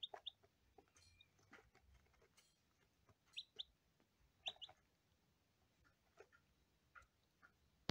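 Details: Day-old lavender Ameraucana chicks on their first day, giving short high thin peeps, often in quick pairs, in three bursts spread over several seconds, between soft rustling and tapping clicks.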